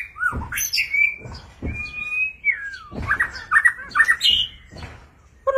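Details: Displaying White-rumped shama delivering a mix of clear whistled slides and short sharp chirps, with a steady level whistle mid-phrase and soft knocking sounds between notes.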